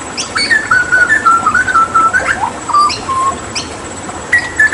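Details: Hooded butcherbird, a bird endemic to Papua, singing during water therapy. Clear, flute-like whistled notes hold near one pitch and then step down, with short sliding upstrokes between phrases.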